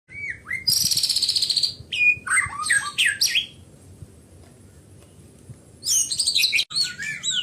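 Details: White-rumped shama singing a varied, loud song of rich whistles, sweeping slurred notes and buzzy high trills in quick bursts, with a pause near the middle before a fresh phrase of bright whistled notes.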